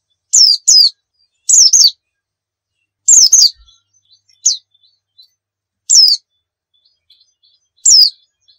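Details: White-eye from a 'nembak' tutor recording for provoking song: sparse high, sharply descending single and paired notes spaced a second or two apart, with faint soft chips between them.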